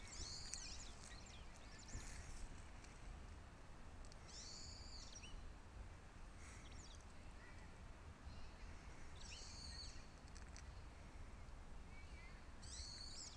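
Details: White wagtails at an elementary school in Japan, two birds, one on the ground and one in a tree, heard only by voice: sharp high chirping calls in short clusters every two to four seconds over steady low outdoor rumble.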